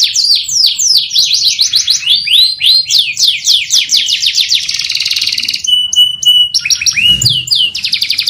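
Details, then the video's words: Long, lively canary song used as stimulation therapy. Quick repeated swooping notes flow into fast trills, a steady pure whistle, and a final burst of rising chips. "CANARY SINGING | TERAPI PANCINGAN KENARI GACOR PANJANG"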